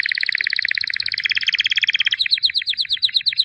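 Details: White albino canary, a 2017 champion, delivers a dense, fast rattling roll that steps up in pitch, then breaks into quicker, separated chirping notes.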